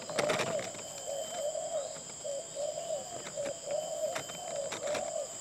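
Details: Spotted dove of the Jementah style cooing: soft low wavering coos in a steady repeated phrase, with sharp clicks and a constant high electrical whine behind.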